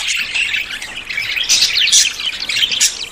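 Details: Courting budgerigars about to breed chatter nonstop, a thick mix of high squeaky warbles and sharper squawks that swell louder around the middle and end.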